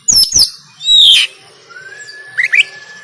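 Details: Brief burst of oriental magpie-robin 'konslet tarung' fighting song, Banten, recorded on an Android phone: two harsh clicks, a loud down-slurred whistle, then a thin level whistle and quick rising chirps.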